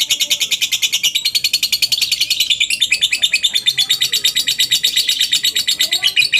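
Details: Lovebird singing its long ngekek, meant as a lure to set other lovebirds off. An unbroken stream of shrill, fast-repeated chattering notes keeps an even pace and loudness throughout.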